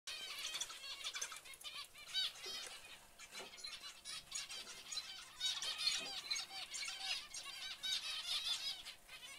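Zebra finch chicks give a dense chorus of thin, high, rapidly repeated cheeping calls.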